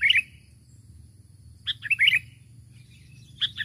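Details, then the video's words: Sooty-headed bulbul calling to a rival, used as a lure for birds: three short bursts of bright, chirping notes, the first at the start, then a pair near the middle and one at the end, over a low background hum. "Pikat Burung Kutilang Memanggil Lawan"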